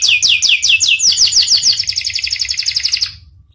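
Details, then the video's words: Singing panda canary: loud downslurred whistled notes speed up into a fast, even trill that gradually fades out after about three seconds. "Kenari panda gacor"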